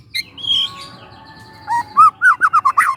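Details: Lure song of a young forest White-rumped shama: a faint drawn-out whistle, then a quick series of bright looping notes repeated about four times a second, with low background murmur.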